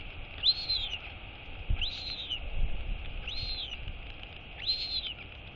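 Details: Royal albatross chick, female, woken by her mother and wheeing for breakfast on 23 August 2022. Four clear arched whistles, each rising then falling, repeat roughly every 1.4 seconds over faint low rumble.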